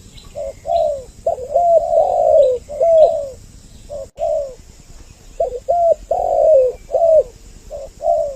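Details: Two-voiced spotted dove calling used as a lure for males and females: warm, hollow coos grouped in rolling phrases with brief pauses between bursts, some notes dipping at the end. A thin constant hiss and a sharp click are also audible.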